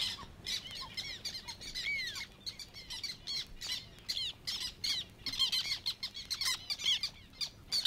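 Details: Several black terns in the Matsalu reed beds, Estonia (1979 field recording), give harsh, scratchy squawks and sharp kik notes in a dense, overlapping chorus, with a faint low rumble of wind beneath.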